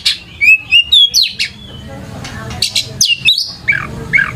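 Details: Oriental magpie-robin singing, played as a lure to provoke a reply from other birds; quick series of bright, rising and falling whistles, sharp chips and downslurred notes, loud and clear against low background hiss.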